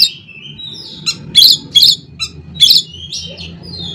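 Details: Oriental magpie-robin (kacer) giving loud harsh rasping bursts mixed with short whistles, part of an "isian konslet" song meant to stir other magpie-robins into singing; faint low hum in the background.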